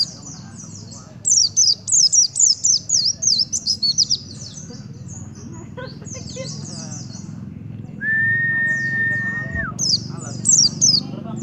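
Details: White-eye singing aggressively face to face at a sunbird: a loud series of rapid, high, descending chip notes in regular bursts, later scattered phrases, with a long steady whistled tone partway through and low background murmur.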